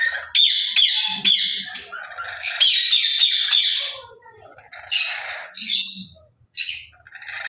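A lory gives harsh, screechy squawks mixed with sharp whistled notes in bursts through the clip, loud and high-pitched, with short pauses between outbursts.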